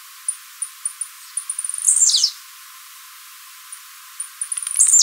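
Blue-black Grassquit giving high, dry ticking notes that speed up into a loud, buzzy, downslurred phrase, repeated twice in five seconds.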